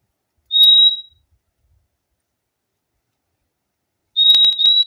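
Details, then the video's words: One steady high whistle from a fim-fim, then a long silence, then a doubled whistle pair with sharp clicks over it. "O LINDO SOM DO PÁSSARO FIMFIM"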